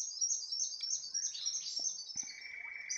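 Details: Large-billed scrubwren giving a continuous high, thin chattering trill of rapid notes, about three per second, with a lower steady whistled tone joining in the second half; quiet background otherwise.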